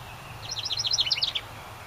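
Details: House wren nesting in a decorative ceramic birdhouse by a cabin in summer, giving a quick chattering burst of high, rapidly repeated notes that bubble and tumble downward for about a second over low steady background hum.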